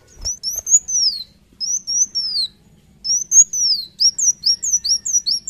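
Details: Kolibri wulung sunbird singing vigorously, giving clear, loud, high whistled phrases that arch up and then slide down, separated by short pauses, then a quicker run of short whistled notes at the end.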